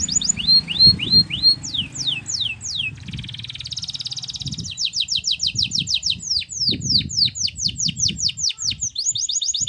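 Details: Atlantic canary song, offered as a remedy for canaries that have gone quiet: high downslurred whistles, then a buzzy trill, then long rapid rolls of sharp repeated notes, over a soft low rumble.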